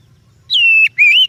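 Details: Oriental magpie-robin song meant as a lure for training birds: two long, pure whistled notes, the first steady and slightly falling, the second gently rising, over faint low hum.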